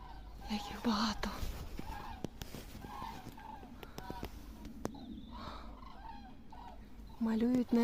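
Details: Large flock of common cranes migrating in October in Sweden; repeated rolling trumpet calls from many birds overlap, with a person's voice speaking near the start and again at the end, plus sharp clicks.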